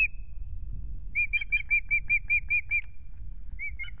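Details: Osprey, a new male at the nest on an April evening at Loch Garten, calling a quick run of about nine piercing whistled chirps, framed by a lone note before and two more after, over faint low hum.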